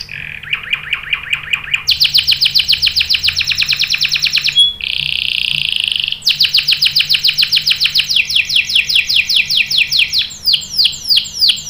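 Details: Canary lure song meant to set other canaries singing, with long rolls; rapid trills of repeated notes change speed and pitch, broken by a sustained high buzzy roll, then quickening downward-swept notes.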